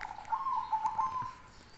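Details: Bass-voiced zebra dove of the black cemani Kolbuntet type cooing, one continuous soft rolling trill of about a second that fades out, with a noisy background.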